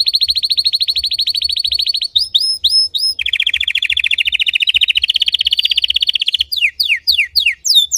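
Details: Red Belgian canary singing hard in deep, intense style, for training: a fast rattling trill, a few upward-hooked whistles, a long lower rolling tour, then quick bright down-slurred notes.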